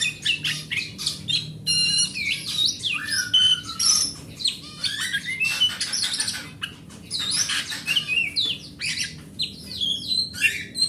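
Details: Oriental magpie-robin, forest-type grade A bird kept as a home hobby, singing to lure other magpie-robins into song: long varied sequence of whistles, slurred phrases, rapid trills and harsh chattering notes with brief pauses.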